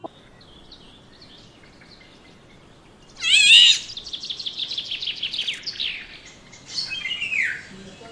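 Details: Black-naped oriole calling: after three quiet seconds, a loud harsh, nasal burst with wavering overtones, then a run of rasping notes and a final downward-sweeping screech near the end.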